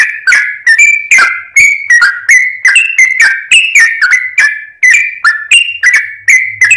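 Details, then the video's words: Sooty-headed bulbul song used to lure birds: dense chain of clipped, slurred whistles delivered rapidly and without pause, loud and clear against silence. "trucuk gacor || trucuk pikatan"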